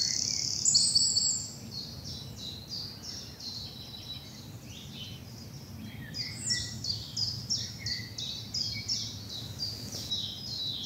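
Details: Spring dawn chorus in a bluebell wood in southern England, early morning sun; several birds give high, fast repeated chirps and trills, quieter in the middle and busier toward the end.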